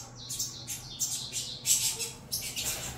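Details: Saffron finch chicks begging as they are fed, uttering separate wheezy, high squeaky notes about three per second, some sliding downward, in a quiet setting.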